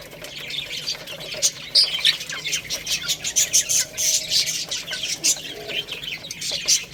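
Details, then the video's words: Little chicks feeding on rice: a busy chorus of thin, high chirps in short bursts, punctuated by sharp pecking taps on the grain. "Beautiful Little Chicks Chirping Sounds | Cute Baby Hen Eating Rice"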